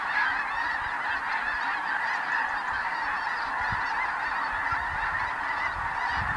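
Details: A vast flock of snow geese, alongside blue and Ross's geese, loafing and feeding on the prairies of the Dakotas in spring migration, producing a constant dense clamor of overlapping honks throughout.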